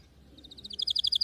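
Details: Short burst of canary song: a rapid, high trill of clipped notes that grows louder and drops slightly in pitch toward the end.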